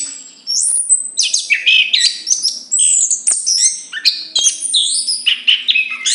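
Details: Zoothera interpres, the chestnut-capped thrush, pouring out a long run of varied song after a brief quiet start: bright whistles, descending glides, buzzy fragments and quick twittering notes in dense succession.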